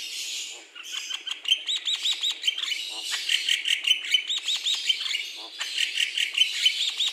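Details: Javan myna (jalak kebo), described as in full voice, in a private mini-forest aviary. It gives a continuous, fast, irregular chatter of sharp high chirps and thin whistles, roughly two or three notes a second, without pause.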